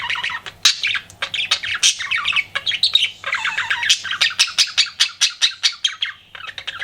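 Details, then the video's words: Pet budgerigar flirting, delivering continuous chattery warbles and sharp repeated chirps in quick rhythmic pulses, ending with a short pause and more squeaks. "CUTE PET BUDGIE FLIRTING"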